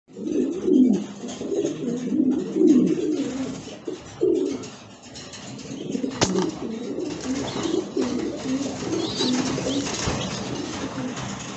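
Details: Young grizzle racing pigeons give low, murmuring coos and soft grunts in irregular bursts.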